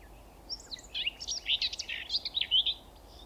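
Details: Common Whitethroat singing from an overhead power line beside a railway at Thurrock Thameside Nature Park, filmed on a Panasonic GH6. A brisk, scratchy warble of jumbled chattering notes lasts about two seconds, with a steady low rumble underneath.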